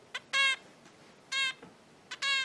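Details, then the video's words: Hand-reared 20-day-old red-billed leiothrix (Pekin robin) chick, kept in captivity and learning to perch on a finger, giving the species' classic adult-type calling song: three harsh, nasal, buzzy notes about a second apart, each preceded by a faint short tick. "Bu klasik seslenme ötüşü Hint bülbüllerinin."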